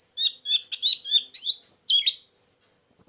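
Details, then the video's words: White-eye lure recording with isian filler songs for attracting birds to traps: high, fast chirps and short sweeping whistles in quick bursts, ending with thin, level high whistles repeated three times. "suara burung pleci pikat+isian"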